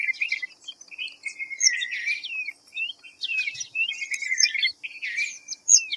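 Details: Rapid chattering phrases of thin whistles and sliding chirps from a white-browed fantail (Rhipidura aureola), broken by short pauses, with a faint steady high hiss throughout.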